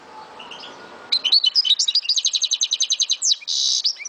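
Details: Algerian goldfinch from Souk Ahras, owned as a pet, quiet at first, then bursting into a fast, regular series of high clipped notes that closes with a harsh buzzing rasp.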